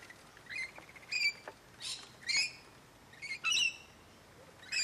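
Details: Rainbow lorikeets from a flock of hundreds in Lane Cove National Park: sharp, high screeching squawks in short bursts, about one each second, over a quiet background.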